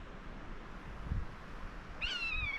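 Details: A common buzzard hunting in the sky over a gorge walk in Teesdale, Pennines, North East England gives a single high, mewing cry rising briefly then slurring downward, over low wind rumble.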